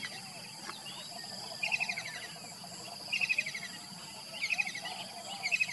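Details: Kingfisher calling in the morning, giving short chattering bursts of rapid high notes about every second and a half, rising and falling in strength, over a steady background of insect hum and faint other bird notes.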